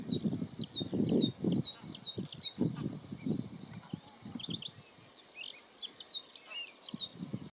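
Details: Male bluethroat, subspecies cyanecula, singing at Ezumakeeg in Friesland, the Netherlands, on 14 May 2022. Sharp high chips and warbled twittering notes come in a busy, varied stream, with loud low gusts of wind-like rumble.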